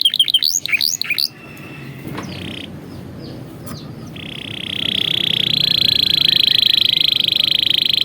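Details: Canary training song: quick swooping notes at first, a pause with scattered clicks, then a long, loud, steady rolling trill that builds and holds to the end.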